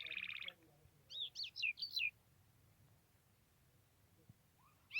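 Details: A trained, hand-tame lark sings in the open: a brief burst of high, twittering notes, a buzzy trill, then four or five whistled, slurred phrases and another burst at the end.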